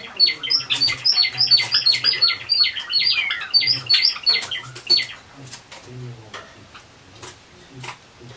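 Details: Pet white Java sparrows kept indoors, with males let out of their cage together with a white female, recorded 25 October 2013; rapid, bright chirps and short descending notes tumble together for five seconds, then scattered soft clicks and faint fluttering.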